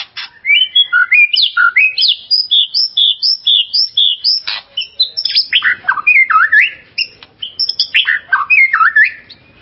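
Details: Kept white-rumped shama song meant to provoke and excite another shama: loud, rich, continuous run of varied whistled notes, slurred up and down, with quick chattering clusters and almost no pauses.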